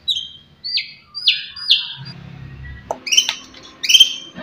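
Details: Kept white-rumped shama with sharp song for provoking rivals: clear descending whistled notes repeated three times, then a pause with low hum, followed by buzzy high bursts.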